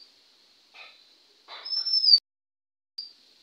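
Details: Male Oriental magpie-robin at a house in India, recorded 20 May 2021 at 1:12 PM, gives a bright, high, sustained whistle, slightly rising, then a short clipped note a second later, with a few softer scratchy sounds before it.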